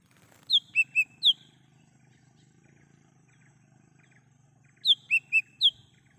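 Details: Lesser green leafbird singing in the wild, recorded as a lure for calling birds: two identical four-note whistled phrases about four seconds apart, high falling notes around two lower clear ones, with quiet low hum between.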